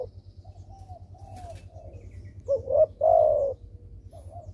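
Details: Lively spotted dove whose calling serves as a lure for doves that are slow to call: soft, faint coos lead into one loud phrase of two short notes and a drawn-out falling coo, over a constant low hum.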